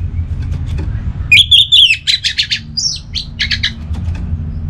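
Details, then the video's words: Orange-headed thrush in vigorous song, kept as a lure for other thrushes, Bali: a quick string of high whistles followed by sharp repeated chipping notes and a rising slur, over faint low hum. "Anis Merah Gacorr Untuk Pancinggan Burung Punglor Jadi NGeplong Bahkan Teler Kalau Jantan"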